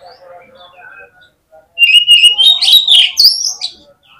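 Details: Oriental magpie-robin in full, energetic song, used to spur other magpie-robins into frenzied singing at competitions: after faint murmurs, a loud burst of clear whistled notes sliding upward, mixed with buzzy, scratchy phrases and sharp clicks.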